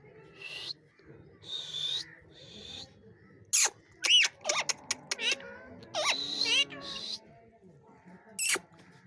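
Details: Angry parrot making wavering whistled tones and speech-like sounds, broken by sharp, high screeches and a quick cluster of clicking notes.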